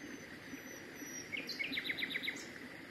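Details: Common nightingale (Luscinia megarhynchos) on Mt. Varnous, Greece, 19 May 2018, sings a quick run of about seven sharp, repeated notes at a steady pace over soft background hiss.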